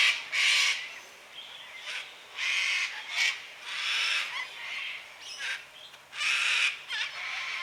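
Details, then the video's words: Late on a quiet Sunday afternoon, around 5 pm in daylight saving time, cockatoos screech in an irregular sequence of harsh rasping calls. Some are short, clipped shrieks and others are drawn out, and the loudness rises and falls. "cockatoos making noise on a quiet sunday afternoon"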